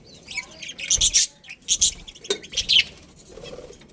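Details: Budgerigar colony with breeding pairs: loud clusters of shrill chirps and chattering warbles come in bursts, alongside soft wing flutters and low thumps between calls.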